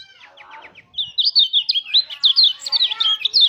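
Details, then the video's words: Mountain white-eye delivering a rolling 'ngalas' song meant to get other white-eyes singing. Faint quick chirps come first, then a clear run of high, rapid, warbling twitters repeated without pause to the end. "pancingan suara pleci agar buka paruh"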